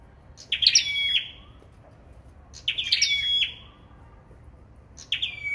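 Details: Sâu đầu đỏ performing competitive song, phrases about every two seconds, each a burst of high notes easing into a steady whistle that slides lower, with quiet between.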